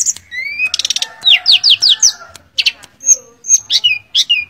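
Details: Mangrove blue flycatcher in energetic song: a rising whistle, a rapid buzzy rattle, four quick upward-sweeping whistles in a row, then scattered sharp notes and falling slurs.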